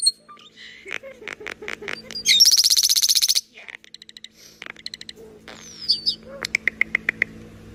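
A common starling runs through a jumble of clicks, whistles and rapid rattles, including a loud buzzing burst that mimics an electronic noise.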